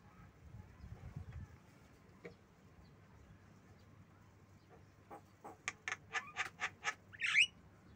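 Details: Javan myna, called jalak kebo, giving a run of harsh, clipped, broadband notes repeated roughly twice a second and ending in a squeaky rising whistle, after a quiet stretch with low rumbling.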